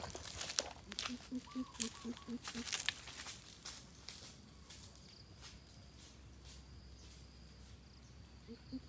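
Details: Coucal, 'thiêm ku' lure call: a short run of about six deep, hollow hoots amid crackling and rustling noise, followed by quiet with a faint insect whine and one last soft hoot.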